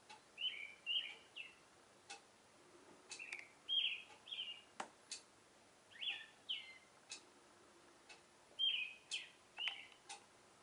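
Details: Oriental reed warbler singing its love song in the morning after arriving in a cherry tree: harsh, grating, chattering phrases in short bursts of two or three notes, repeated every second or so, with scattered faint clicks between phrases.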